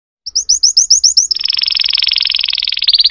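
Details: Canary singing about seven clear upswept chirps, then a fast, dense rolling trill that quickens toward the end.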